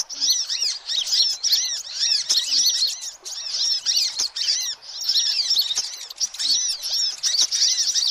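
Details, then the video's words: Noisy sunbird calls used as a lure for all sunbird species: thin, high, sharply arched chips tumbling over one another with almost no pause, as if several birds call at once. "suara kolibri ribut"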